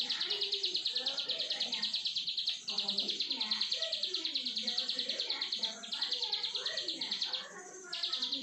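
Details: Long 'brenn' singing from a plain prinia (ciblek sawah): fast, even trains of high buzzy notes broken by three brief gaps, set against soft low-pitched background sounds.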